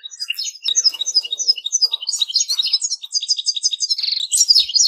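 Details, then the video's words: Goldfinch song as a busy stream of quick high chirps and twitters, speeding into a dense trill near the end. "Goldfinches - amazing song"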